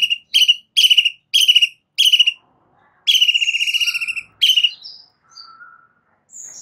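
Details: White-rumped shama tutor song: a run of short buzzy chattering bursts repeated about every half second, a longer rattling trill, then scattered thin whistles.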